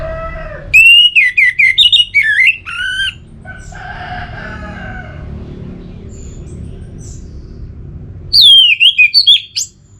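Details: Orange-headed thrush (anis merah) singing in a lure recording: a fast series of twisting, rising and falling whistles, then a softer blurred stretch and quiet, before another rapid burst of loud whistled notes.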